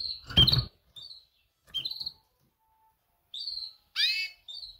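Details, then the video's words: Female canary calling to males: short, clear chirps repeated at irregular intervals, plus one harsher downward-sliding call near the end, over a brief thump at the start. "Best female canary mating call - female calls males - female sounds chirps"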